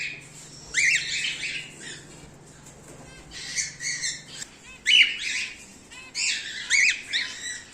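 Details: Home-bred cockatiels, whiteface emerald, emerald and exhibition grey male, squawking in short clusters: rough harmonic calls with rising-falling contours, separated by quiet gaps, with a low hum fading out midway.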